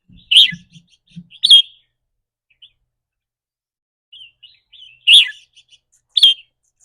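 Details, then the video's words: Caged red-whiskered bulbul giving rik rua song, its trilling style said to depend on the bird's daily mood. Two pairs of loud, buzzy, slurred notes are separated by a pause with quiet chirps, and faint low thuds are heard early. "ริ๊กรัวๆ คือเรื่องปกติ"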